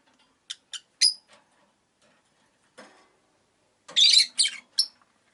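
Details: Five caged rosy-faced lovebirds near a window on a day of mixed sun and rain: scattered short chirps, then a louder cluster of three harsh, squeaky calls, with faint low street noise between them.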